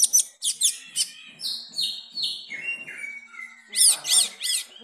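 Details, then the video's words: Long-tailed shrike singing in Jepara, its song stuffed with imitated kapas tembak phrases: quick sharp chips, then a series of steadily descending whistled notes, ending with rapid, buzzy, high-pitched repeated calls. "Burung pentet isian kapas tembak lagi manggung"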